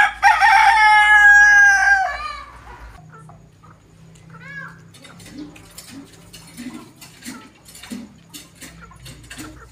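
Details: A rooster in an Aseel versus desi rooster crowing competition gives one loud, ringing crow lasting about two seconds, followed by soft clucks and scattered background noise.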